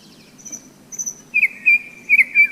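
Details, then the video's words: May nightingale by the Seversky Donets during a hike: thin high whistles, then a loud sustained whistled trill pulsing in strong beats, over low frog croaking. "Майская трель соловья"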